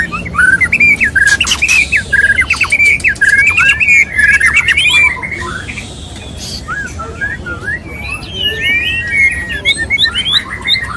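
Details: Loud, rapid whistled phrases with interleaved harsh rasps from a male white-rumped shama courting a female, easing into softer, scattered twittering notes.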